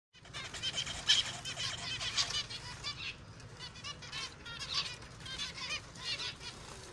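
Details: Finches chattering together, a dense overlapping stream of short, high, nasal chirps and twitters repeated irregularly throughout, with a low steady hum underneath.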